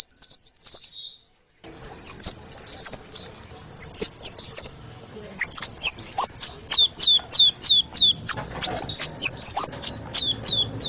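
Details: Sunbird (kolibri ninja) song from an Indonesian masteran recording used to train songbirds: rapid high whistled notes rising and falling, in quick repeated bursts after a lone opening phrase, with faint clicks and background hiss.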